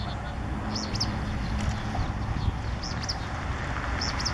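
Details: Pale-breasted spinetail (Synallaxis albescens) at Capilla del Monte, Córdoba, Argentina, January 2016: faint high two-note call three times, about every 1.5 seconds, over low traffic or wind rumble.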